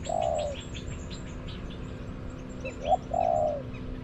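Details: Wild spotted dove in a garden replying to a decoy; a long rolling coo, a pause, then short notes and another drawn-out rolling coo, with thin high chirping of other birds throughout.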